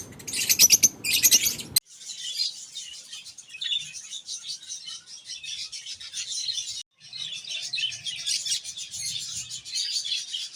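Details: Aviary colony of budgerigars playing and singing in cages: a loud burst of chirps opens, followed by a continuous high, buzzy warbling chatter from many birds, steady and unbroken.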